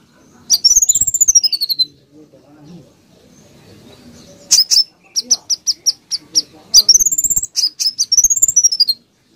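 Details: A konin sings high, rapid phrases of sweeping trilled whistles broken by bursts of quick, sharp staccato notes fired in close succession (tight "tembakan"-style bursts).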